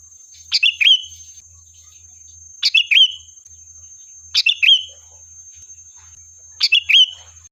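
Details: Sooty-headed bulbul singing as a lure to provoke a response, four brisk phrases of sharp chirps each ending in a short liquid whistle, spaced about two seconds apart, with a faint steady high tone throughout.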